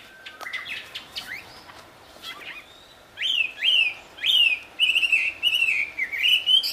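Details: Wild wambi giving its loud, sweet song: scattered high chips at first, then a steady series of strong downslurred whistles roughly twice a second, over a faint background hiss.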